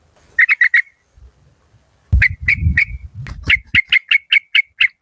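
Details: Fierce-voiced decoy yellow-vented bulbul of a Malaysian local strain. A quick run of four whistled notes is followed by a long series of evenly spaced liquid chirps, partly over low rumbling knocks.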